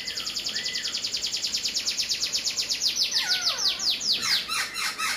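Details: Poksai Hongkong laughingthrush singing hard: a long, fast series of high repeated notes, several per second, that ends in quick descending slurs, with occasional lower whistles mixed in.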